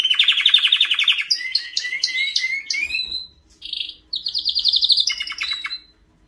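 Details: White canary singing: rolling rapid trills, then a string of rising and falling whistled notes, a brief pause, and more bright pulsed trills.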